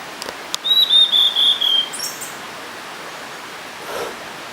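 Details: Blue-and-white flycatcher singing: a high, clear phrase of several slurred whistled notes stepping slightly downward, lasting about one second, with a faint hiss in the background.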